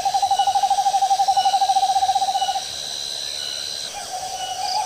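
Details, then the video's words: Owl in the fields giving a rapid pulsed trill of around twenty evenly spaced notes over two and a half seconds, then a softer steady tone, with a high thin whine behind. "suara burung hantu di sawah/the sound of an owl in the fields"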